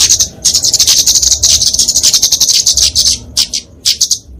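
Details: Kemade (a flowerpecker of genus Dicaeum) fighting song used to train and lure small songbirds: a sustained, very high, buzzy twittering stream that breaks into short separate bursts near the end.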